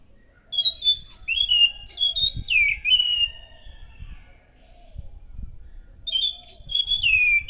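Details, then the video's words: Loud Orange-headed thrush song meant to attract other thrushes, with rich whistled phrases sliding downward, some low thumps beneath, then a fresh burst of clear notes. "PANCINGAN BUNYI BURUNG ANIS SANGAT EFEKTIF, SUARA ASLI ANIS MACAN GACOR TEMBAKAN SUARA NYARING!"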